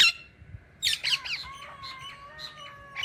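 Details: Indian ringneck parakeet chattering: a sharp squawk, then a burst of harsh rapid notes followed by a long steady whistled tone under softer chirps, ending with another squawk.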